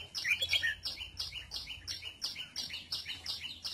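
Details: Red-whiskered bulbul out sunbathing opens with a liquid warbled phrase, followed by a brisk series of high chirps repeated several times a second.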